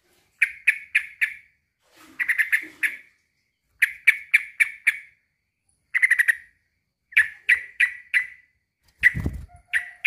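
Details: Male sooty-headed bulbul calling a rival in bursts of three to five rapid, raspy notes separated by short pauses, with a low thump near the end.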